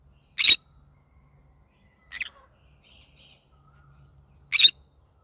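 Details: A pet yellow-sided green-cheeked conure, singing in the morning, gives three harsh, high squawks about two seconds apart, with softer chattering notes between them in an otherwise quiet room.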